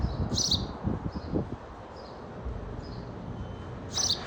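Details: Sparrow giving two clear high chirps, at the start and end, with a few fainter chirps between, over low rustling and background noise.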